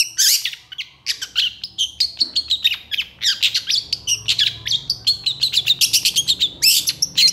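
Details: Cendet, long-tailed shrike, delivering continuous excited song: an unbroken, fast stream of scratchy, chattering high notes with occasional thin whistles. A faint low hum runs throughout.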